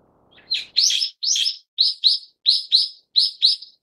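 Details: Brown-eared bulbul (Ixos amaurotis harterti) giving loud, harsh, shrill notes in quick pairs, repeated about every half second; otherwise quiet.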